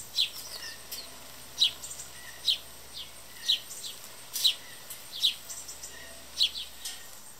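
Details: Hungry house sparrows feeding and fighting at a yard bird feeder stocked with mixed seed: sharp high chirps at uneven intervals of about one to one and a half seconds, some softer overlapping tweets, light background noise.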